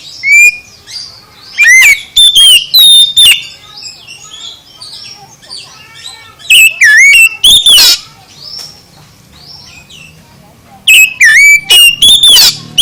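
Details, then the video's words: Loud oriental magpie-robin singing meant to stir a lazy magpie-robin into song: clear whistled notes rising and falling, scattered chirps, and dense bursts of sharp phrases at the start, middle and end, with quieter twittering between. "Kicau KACER VOLUME SUPER ++ menggugah KACER LELET jadi GACOR"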